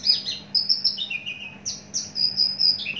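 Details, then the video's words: Mature Javan bush lark, kept in a cage for a long time, delivers bright high whistles, some held flat and others dipping down, strung into a continuous varied phrase. "Branjangan javanica"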